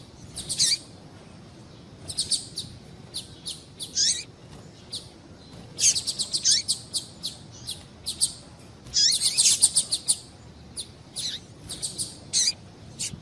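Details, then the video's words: Calls of a female double-collared seedeater, used to excite males into song: many brief high chirps and down-slurred notes in scattered bursts, some packed into fast runs, over a quiet hissy background. "Piado de Fêmea de Papa capim para Esquentar Papa capim"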